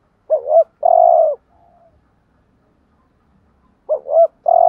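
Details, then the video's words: Spotted dove giving the urging 'thúc gù' coo used to rouse other doves: two phrases, each two short rising-falling notes followed by one long, steady, throaty coo, separated by a quiet gap. "chim cu gáy thúc gù bài bản/ Tiếng chim cu gáy kích bổi và mồi rất xiêng gáy"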